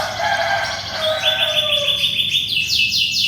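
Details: A canary in full, vigorous song, used as tutoring for white-rumped shamas. Mixed lower warbles give way to bright, high rapid trills, with a steady low hum in the background.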